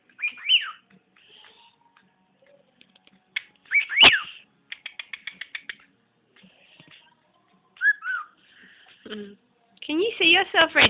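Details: Pet bird whistling in a small room, mixing swooping whistles, a sharp snap, a rapid string of about eight clipped notes, and a final burst of chattering warbled phrases.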